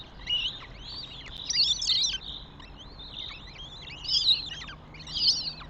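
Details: Northern goshawk calling at the nest, Tartu, Estonia, 27 May 2025: clustered high, squealing whistles bending up and down, in bursts roughly every second or two, against a quiet low rumble.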